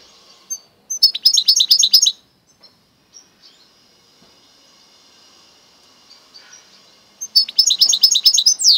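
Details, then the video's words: Hybrid of goldfinch and canary giving two separate bursts of rapid, high, tinkling twitter, each about a second long, with near silence and a faint high whistle between them. "Goldfinch x canary mule καρδερινοκαναρο"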